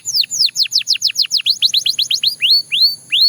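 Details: Belgian canary song made of rapid descending whistled slurs repeated about four per second, slowing into a few upward-curving whistled notes at the end.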